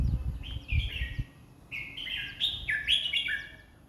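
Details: Red-whiskered bulbul song at 20 phrases a minute: clear slurred whistled notes in two connected phrases, the second more varied and jumpy. Low rumbling thumps sound at the start.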